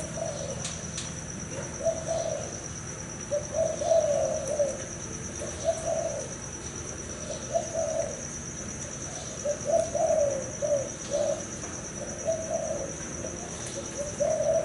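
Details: Spotted dove, a breeding male of the thai hau 4 cooing type, repeats grouped mellow coo phrases about every two seconds, with a thin steady high tone and occasional clicks in the background.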